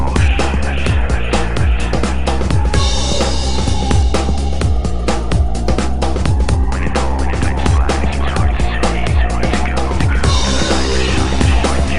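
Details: Loud, driving music with heavy pounding bass beats and dense layered instruments throughout, no animal sound.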